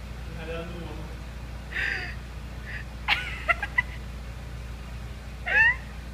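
Plush-crested jay giving a varied string of calls: a nasal, wavering note, a harsh burst with quick clicks, then a sharp falling cry, over a steady low hum.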